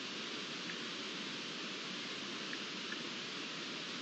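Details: A soft, even rushing hiss like flowing water or distant wind fills the whole stretch; no animal voice is heard.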